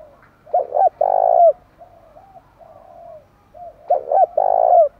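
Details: Spotted dove song to goad wild doves into fighting and singing along: two short coos then a long loud coo, the phrase heard twice about three seconds apart, with gentle cooing in between.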